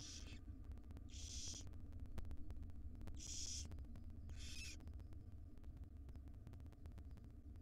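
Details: Wild barn owl chicks, five in a nest box, begging as their mother brings breakfast; four loud rasping hisses at irregular spacing, set against a constant low mechanical hum.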